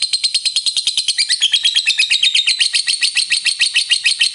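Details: Lovebird in long ngekek song meant to rouse other lovebirds: an unbroken, fast, shrill chattering trill of pulsed notes, steady in rhythm from start to finish.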